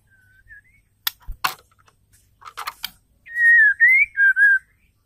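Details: White-rumped shama female giving a lure call meant to excite males: a soft whistle, a few clicks and knocks, then four loud pure whistled notes that dip and rise.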